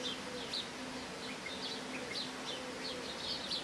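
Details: Rolling, purring calls of European bee-eaters, short notes repeated at varied pitches as several birds call over one another against a soft hiss and low hum.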